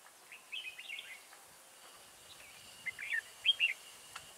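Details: Red-whiskered bulbul serving as a trap decoy to lure wild birds, 30 October 2018: two short groups of quick chirped, warbling notes, the second louder and higher, against faint steady background noise.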